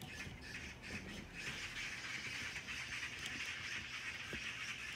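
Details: A flock of neighbourhood Oriental magpies gathered together gives harsh, rattling chatter, the rough calls overlapping in a steady, noisy stream.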